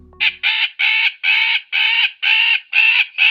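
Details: A magpie gives an alarm or distress call, a harsh, rasping chatter of seven noisy bursts about two a second, dry and scratchy with no clear pitch.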